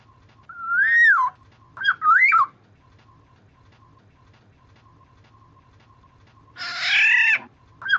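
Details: Black-naped oriole used as a lure, giving two liquid looping whistled phrases close together, a long pause, then a grating nasal call, and the start of another whistle; faint steady tone in the background.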